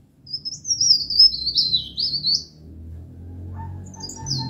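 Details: Songbird training recording of a pied bush chat (pare-pare): one long, high, scratchy warble that descends in small steps, followed by a quieter phrase and a soft lower tone over a background hum.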